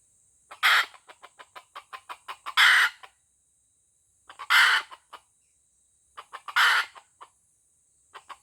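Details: White-legged F1 junglefowl from Aceh, kept as a lure bird, giving loud raspy crows spaced two seconds apart, with rapid clucks between crows.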